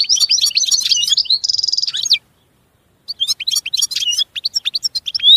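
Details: Song of a European goldfinch: quick liquid twitters, a harsh nasal buzzing trill in the middle, a second of silence, then more sparkling high chirps and slurred notes.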